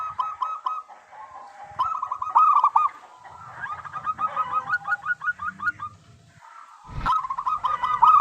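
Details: Local zebra dove singing actively, a recording meant as a lure to make other zebra doves sing: bursts of quick, short, hooked notes strung in rapid runs, separated by brief pauses, with a sharp knock near the end.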